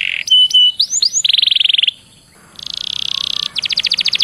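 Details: Canary song meant to lure other canaries into singing: a few short whistled swoops, a buzzy rolling trill, a brief silence, then a dense trill and a fast staccato rattle.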